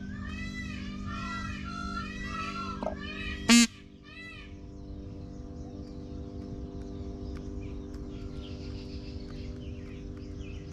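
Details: Peacock giving loud, ringing harmonic calls in quick succession for about three seconds. A sharp knock follows, then quieter background noise with faint chirps.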